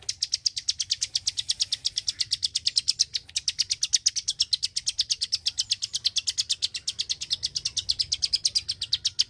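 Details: A Klik-klik bird sings a long burst of high, crisp clicks at a fast steady pace for over nine seconds, with only a faint low background hum.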